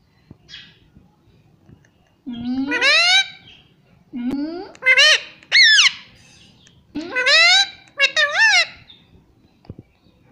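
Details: Indian ringneck parakeet kept as a pet, mimicking speech with strong harmonic syllables; three groups of two or three slurred rising-falling notes, each group starting with a low rising sweep, in a quiet room.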